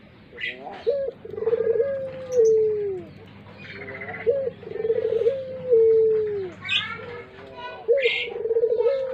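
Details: Caged puter pelung dove kept for luring birds, cooing in a steady series: short rising notes, then buzzy pulsed coos that stretch into a sagging tail, while other birds chirp.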